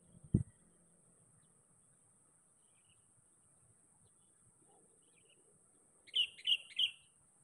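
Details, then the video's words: Sooty-headed bulbul calling to find a rival, used as a lure call: after a long quiet stretch with a low thump at the start, three short bright notes follow in quick succession near the end, against a steady high hum. "Panggilan KUTILANG PIKAT GACOR. Mencari Lawan."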